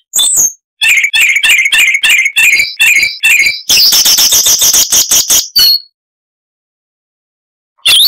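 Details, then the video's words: Song of the Siberian rubythroat: a series of similar paired notes repeated about every third of a second, a fast buzzy trill, then silence and one last whistle. "Masteran Burung Luar Negeri Suara Unik Asli HD AUDIO - Siberian Rubythroat (Luscinia calliope)"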